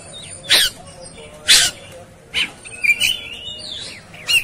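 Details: Agitated, fighting Oriental magpie-robin giving widely spaced harsh scratchy bursts, roughly one a second, with a few thin whistled slurs between them.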